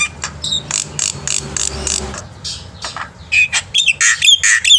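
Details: Black-winged myna singing vigorously in the morning, kept as a tutor for young mynas: harsh, noisy squawks and rasping chatters in rapid bursts, shifting toward sharper whistled notes near the end, over a faint low hum.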